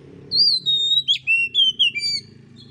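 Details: Kacer, or Oriental magpie-robin, master song used to coax birds not yet singing fully: long pure whistles, some held and gently falling, broken by a sharp slurred note, with a low background hum.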